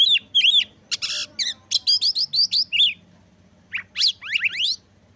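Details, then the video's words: Singing Oriental magpie-robin (kacer), used to stir other magpie-robins' emotion and breeding urge so they sing; arched whistles, buzzy harsh notes, a quick run of six clipped phrases, a pause, then steep rising swept notes. "Kacer Gacor Pancing Emosi dan Dongkrak Birahi Kacer Lain Agar Lekas Gacor"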